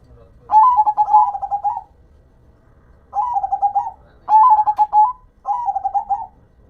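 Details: Zebra dove (perkutut, local bird) singing: four cooing phrases of quick stuttering pulses and rolling coos, a long phrase first, then three in close succession.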